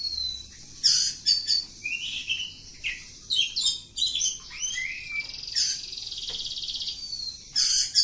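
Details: Kampung oriental magpie-robin pouring out long ngacor song: abrupt harsh bursts, rising slurs and a sustained buzzy trilled phrase, repeated in a rapid varied stream.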